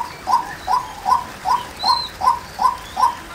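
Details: Close female white-breasted waterhen with a loud, short note that rises and falls, repeated evenly about every 0.4 seconds. A faint high whistle from another bird is heard.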